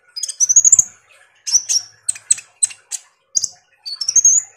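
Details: Van Hasselt's sunbird, known locally as kolibri ninja, in full song as a lure to get reluctant birds singing. Rapid high trills open, then sharp separate chips, ending with a rising thin whistled phrase.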